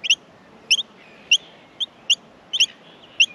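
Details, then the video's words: Australian miner nestlings being fed: high, clipped squeaks, some in quick pairs, at uneven intervals of about half a second, with a faint drawn-out whistle between notes. "Australian Minor baby birds in the nest feeding"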